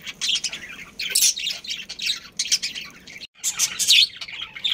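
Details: Budgerigars from a breeding pair and family group: bursts of harsh chattering and squeaky squawks, a brief silence near the end, then loud shrill twittering resumes.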